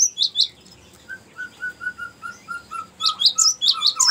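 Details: Long ngerol song of a Cinereous tit, used as a lure and tutor: high chirps open, then a steady row of short level whistles about every quarter second, ending in dense high chirping.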